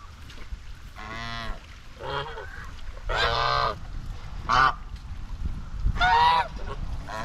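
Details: Domestic white Chinese geese (swan goose, Anser cygnoides) grazing and bathing on a farm give loud, nasal honks: about five blaring calls spaced roughly a second apart over low background rumble.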